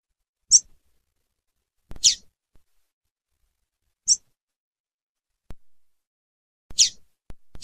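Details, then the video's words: ['Female double-collared seedeater, the coleiro tui tui, calling: five short, sharp high chips spaced irregularly one to two seconds apart, with faint clicks and knocks in between.'] "FÊMEA DE COLEIRO TUI TUI CHAMANDO"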